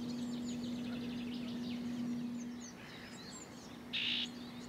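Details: Common whitethroat (Sylvia c. communis) at Het Vinne, Zoutleeuw, Belgium, in June 2023. It gives a quick, scratchy, chattering warble, then a few sharp notes and a brief bright burst, over a steady low hum.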